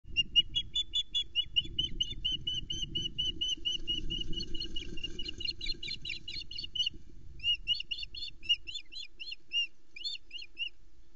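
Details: Hungry female osprey calling and watching around at a Loch Arkaig nest in an ancient Caledonian pine forest, Scotland, 2020, as the male brings a whole flatfish; series of short high chirps, quickening into sharper rising yelps, with low wind rumble beneath.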